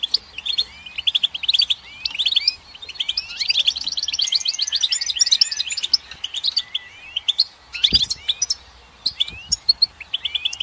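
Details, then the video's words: Goldfinch in long, energetic song: rolling twitters build into a dense buzzy trill mid-phrase, then break into scattered chirps and slurred whistles. A single low knock is heard late. "Goldfinch Song"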